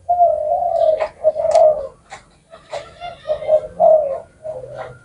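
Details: Spotted dove calling with low, hollow coos, a longer drawn note followed by shorter broken ones, with faint clicks and a murmur in the background.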